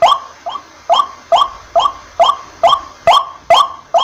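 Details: Water hen calling steadily: a mid-pitched, slightly rising nasal note with a sharp onset, repeated about twice a second in an even series of nine, with faint low background hum.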